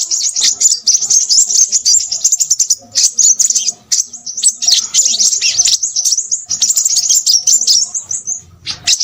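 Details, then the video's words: An energetic crimson sunbird chatters without letup. The song is a stream of sharp, high-pitched chips and thin whistles, slightly uneven in loudness, ending in a short pause and a final burst. "burung sepahraja ribut"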